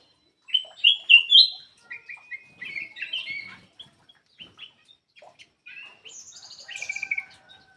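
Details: Black-crested bulbul song used as a lure to get quiet birds singing: bright whistled phrases rising and falling, loud at the start, then softer scattered notes and a final burst of rapid trilled whistles.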